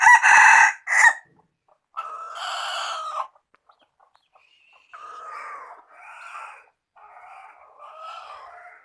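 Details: Rooster crowing: a loud harsh burst opens, then a drawn-out hoarse crow lasting over a second, followed after a pause by three shorter broken crowing phrases in a mid-pitched, rough voice.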